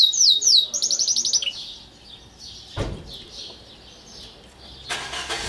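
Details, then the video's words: Kept canary giving quick swooping chirps and a fast high trill lasting about a second, then fading to soft notes, with a click and a burst of rustling noise. "Il canto del mio canarino"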